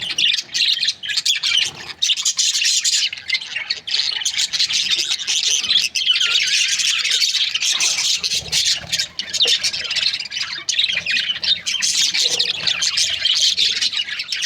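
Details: A dense, unbroken chorus of budgerigar breeding pairs forms a continuous wash of high chattering chirps and warbles throughout.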